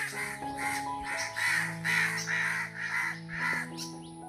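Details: A crow up in a tree repeats short, grating caws in a fast, fairly regular run of about eight notes, with music in the background.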